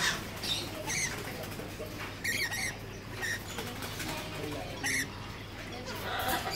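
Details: Red-collared lorikeet (Trichoglossus rubritorquis), a ringed bird, gives harsh, grating screeches in short bursts every second or two, over a steady low hum and faint rustling.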